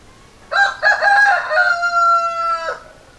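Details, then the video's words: A single cock-a-doodle-doo from a rooster, starting with two short broken syllables and ending in a drawn-out, even note that slides gently down, strong and clear against near silence. "Rooster Crowing Sound Effect - Sound of Rooster Crowing"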